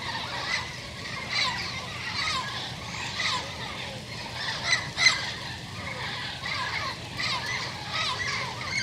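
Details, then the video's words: Turquoise-fronted amazon group visiting a garden each year, the leading pair calling the rest of the flock; fainter, hoarse squawks roughly every second with a few louder screeches midway, over a steady background hiss. "Amazona aestiva e o jardim."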